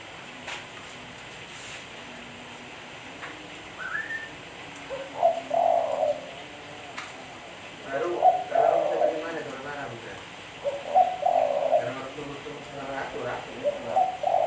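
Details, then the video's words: Repeated hollow coo phrases from a spotted dove, roughly every two to three seconds, each a short soft cluster of low notes, with a brief higher note early and light background hiss. "Suara Burung Tekukur Bersih-Suara Burung Tekukur Buat Pancingan"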